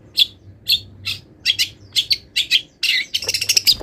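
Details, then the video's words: Long-tailed shrike still in molt, singing a song packed with imitated wild-bird notes: sharp chirps spaced about every half second, quickening, then ending in a dense buzzy chatter. "MASTERAN CENDET FULL ISIAN BURUNG LIAR"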